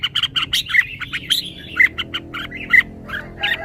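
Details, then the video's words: Red-whiskered bulbul showing off its song phrasing: bright, quick chirps at the start, then looser whistled slurs, about one note per second later on. "นกกรงหัวจุก จ้าวมาดี สำนวนดี"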